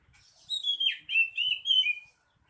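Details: Oriental magpie-robin singing energetically: a run of clear, high whistled notes, some slurring downward and others rising, delivered in quick connected phrases over about one and a half seconds against a quiet background.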